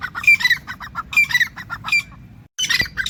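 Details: Teetar, the grey francolin, calling harsh, squawking multi-note phrases that repeat unevenly, broken by a brief silence near the end before calling resumes.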